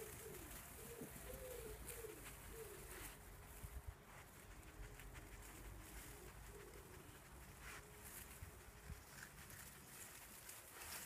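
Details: Wood pigeon in a garden giving a low husky coo phrase of several notes early on, then faint cooing under steady broadband background noise.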